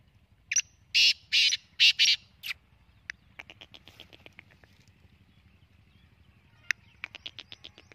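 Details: Black francolin, desi type from Sindh: loud, harsh grating bursts repeated in quick succession, then a rapid series of dry ticking notes and a final burst of clipped chatter over a low background hum.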